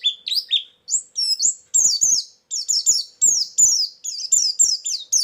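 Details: White-eye lure and filler song used for trapping birds: rapid high chirps and descending whistled slurs, phrases repeated in quick bursts with brief gaps.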